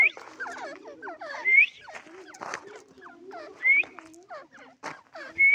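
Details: Irani teetar francolin chatter, quick hooked notes broken by loud squeaky upward whistles roughly every two seconds.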